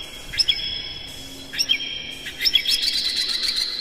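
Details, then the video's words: Morning song of an Oriental magpie-robin (kacer) played to stir captive birds: three separate sharp upslurred whistled notes spaced about a second apart, then a fast run of bright twittering warbles. "suara PAGI!! KACER Gacor Master PANCINGAN Buka Ekor KONSLET"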